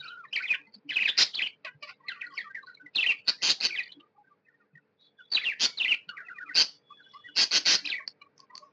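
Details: Pet budgies, described as happy, trade loud scratchy chirps and chattering warbles in bursts, with a short quiet gap midway.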